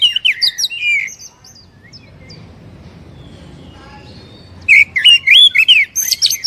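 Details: Oriental magpie-robin, stimulation song for a captive bird: a brief phrase of looping whistles, a long quiet gap with faint noise, then another burst of rapid varied whistles.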